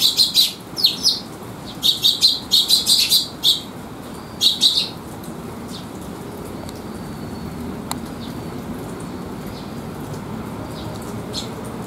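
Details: Sparrows coming to be fed at a rest area on a rainy day, 3 September 2021; quick bursts of bright clustered chirps in the first five seconds, then only the soft hiss of rain.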